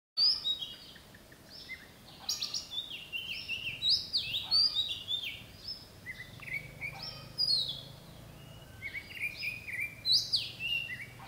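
An Oriental Magpie-Robin sings a varied run of clear, sweet whistles and sharp notes, phrases starting high and dropping, every second or two over a faint steady hiss.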